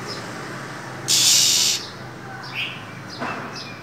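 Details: Female than songbird hissing in cold winter: one loud rasping hiss of about three quarters of a second, then faint short chirps trailing after.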